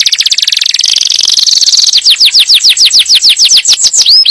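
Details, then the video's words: Yellow canary singing to prime the female for breeding and instruct the fledglings: opens with a fast buzzy rolling trill, then a long series of rapid descending whistled sweeps ending in an upslurred note. "تغريد كناري أصفر لتجهيز الأنثى وتعليم الفراخ"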